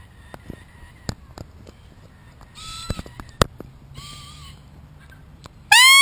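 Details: Wild Red-tailed black cockatoos in Australia playing with a camera: two short arched nasal calls a second apart amid clicks and knocks, then a sudden loud harsh screech close to the microphone.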